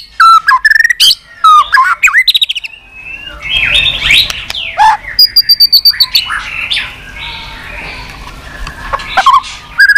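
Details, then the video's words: White-rumped shama singing 'tạch' continuously, used to fire up other shamas; rapid bursts of sharp stacked clicks and slurred whistles, a softer warbling passage in the middle, then clicks again. "Chòe lửa tạch liên tục"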